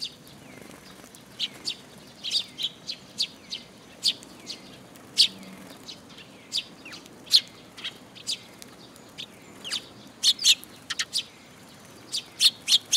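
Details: Eurasian tree sparrows flocking to a feeder on a post at a Tenmangu shrine in June 2022, giving bright, clipped chirps that come in quickening bursts, busiest toward the end.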